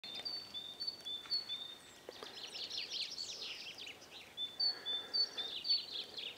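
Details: Common chaffinch (Fringilla coelebs) singing in spring sunshine in Asikkala, Finland, on 1 Apr 2015: a quick, bright, descending run of notes, with thin, high, drawn-out whistles repeated around it and a soft outdoor hiss behind.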